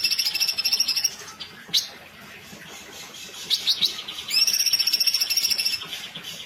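A female sooty-headed bulbul sings two bursts of fast, high, chattering trills about four seconds apart, with a few sharp single notes between them.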